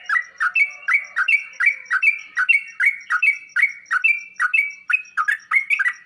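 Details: Chattering sooty-headed bulbul song for getting another bird to respond and fluff up: rapid repeated phrases of a quick falling note joined to a clear steady whistle, with little gap between them.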